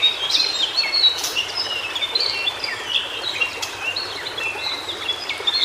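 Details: Cingcoang biru, or White-browed shortwing, heard wild in native Indonesian habitat, pouring out a fast jumble of high twittering and slurred notes, rising and falling, over constant faint environmental hiss.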